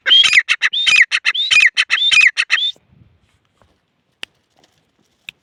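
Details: Teetar, a partridge, gives four loud harsh repeated phrases mixing a whistled slur with grating pulses, then stops, leaving near silence with a couple of faint clicks.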